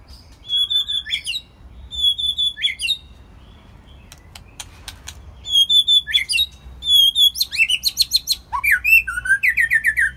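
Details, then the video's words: White-rumped shama in its first molt, singing on a quiet evening: repeated clear whistles ending in downward sweeps, a burst of sharp clicks, then rapid varied warbled phrases with high chirps, loud and close. "White Rumped Shama- quiet evening"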